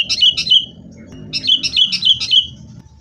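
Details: Sooty-headed bulbul in a fighting mood, used as a lure to get kept bulbuls singing: two bursts of bright, bubbly chattering notes, one short and one longer, each of quick rising-falling phrases, with faint low background hum.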